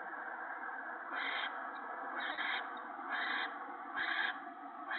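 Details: Owlets at a nest on a March 2017 evening as an adult feeds them gopher: continuous rough hissing with four louder breathy surges roughly every second.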